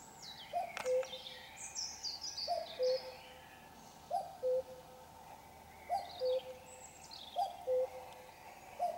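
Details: Common cuckoo singing at 5 a.m. on a Sunday while still dark: a clear two-note cu-coo, the second note lower, repeated about every 1.7 seconds, six times, with other birds chirping and twittering higher up.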